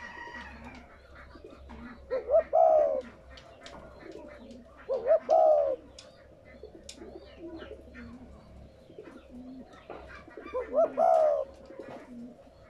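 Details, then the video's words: Spotted dove, used to prompt caged doves to coo, gives three low, mellow cooing phrases about four seconds apart, each with short rising notes before a drawn-out coo. "Tiếng Chim cu gáy kích bổi mới"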